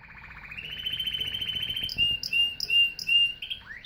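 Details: Canary song: a fast buzzy trill rising in pitch, then a series of clear high whistled notes repeated about every third of a second, ending with a quick upward slide.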